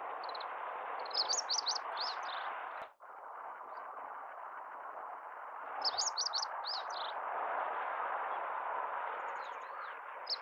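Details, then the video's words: Singing meadow bunting, Kita-Harima in central Hyogo, Japan, 10 April 2021, song called 一筆啓上: two bright phrases of fast, high twittering notes about four seconds apart, set against a loud, steady rushing noise. "ホオジロ 本日も一筆啓上 鳴き声"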